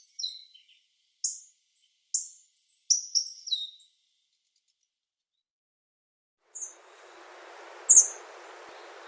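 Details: Hawfinch in Japan giving several sharp, high, downward-sliding calls in the first four seconds. After a pause, steady background hiss and two more high notes follow.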